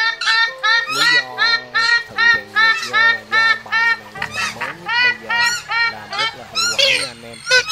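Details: Purple swamphen lure recording for netting birds during the August 2023 migration, a male calling the flock. Rapid series of nasal, honking calls with stacked harmonics, about two to three per second, over steady background music tones.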